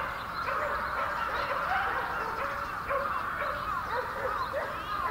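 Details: A large brambling flock in Yoyogi Park, Japan, in February 2019, with a dense chattering chorus and repeated short, sliding notes scattered throughout.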